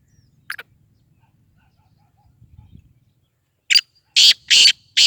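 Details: Black francolin, known locally as kala teetar, giving a burst of harsh, grating broadband notes near the end, three to four rasping syllables in quick succession after a quiet stretch with one brief earlier note.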